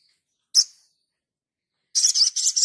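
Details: Sogon in a mastering recording for training other birds, in full vigorous song: one sharp high chirp, a pause, then a fast buzzy high-pitched trill of rapid notes.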